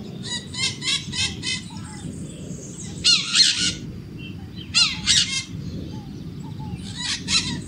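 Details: Maritaca parrot screaming in repeated rough, grating bursts of several quick notes each, spaced by short pauses, over a steady low outdoor rumble.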